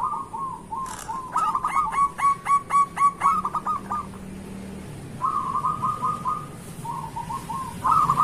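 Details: Zebra dove of local stock in energetic morning lure song: rolling, rapid coo phrases repeated with pauses, overlapped near the start by a series of sharp, bright chirps from another bird.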